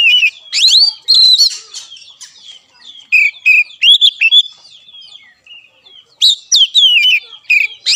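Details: Oriental magpie-robin singing, a training recording for a caged bird that will not sing: clear whistled notes rising and falling, mixed with sharp harsh chips, delivered in separate phrases with pauses.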